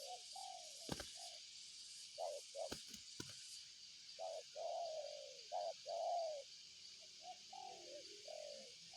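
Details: Spotted dove cooing loudly and clearly: a rhythmic series of short hoots, each group finishing in a longer, slightly falling coo, with a few knocks near the start and a constant insect drone behind.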